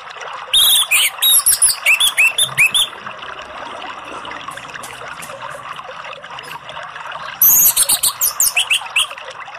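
Orange-headed thrush singing two bursts of rich, varied whistled phrases mixed with high chirps and trills, separated by a pause, over a steady background hiss.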